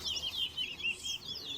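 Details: A chestnut-bellied seed-finch (towa towa) in a singing race in Linden, Guyana, sings a rapid, high, sweet warble of whistled slurs and trills without pause, while faint human voices count its songs in the background.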